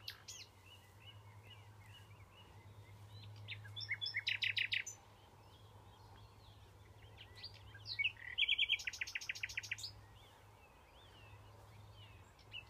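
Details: Common nightingale singing in June at the Knepp rewilding project in Sussex: two loud phrases of rapid, rich repeated notes between softer warbles, with other birds and a low background hum.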